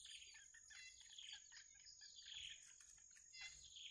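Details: Hungry wild bittern chicks calling while they wait for the parent to bring food. Bursts of sharp, high chirps come rapidly one after another, with a constant shrill insect whine behind.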